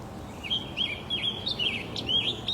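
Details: A Scarlet Tanager, a migratory songbird, sings a quick string of hoarse, burry, robin-like phrases, about three per second, over faint background hiss.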